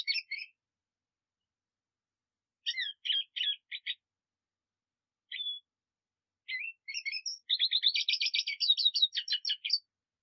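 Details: Black siskin song in scattered bursts: short high twittering phrases separated by silences, then a dense run of rapid buzzy chirps near the end, over a quiet background.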